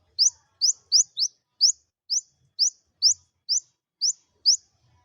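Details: Olive-backed sunbird song used to prompt lazy birds to sing: a steady series of eleven sharp, high, upward-sweeping chips spaced about half a second apart, clean background.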